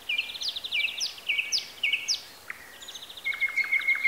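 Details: Wild birds singing in Bessarabia, Ukraine, recorded on a Zoom H4n: high, bright phrases of quick repeated notes ending in rising upsweeps, with a thin sustained trill near the end, over a steady outdoor hiss.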